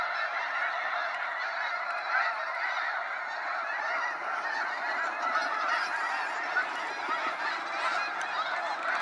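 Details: Sunset fly-out of snow geese in waves over Sacramento National Wildlife Refuge: continuous, crowded honking and yelping from a big flock, a few louder calls popping out now and then above the steady din.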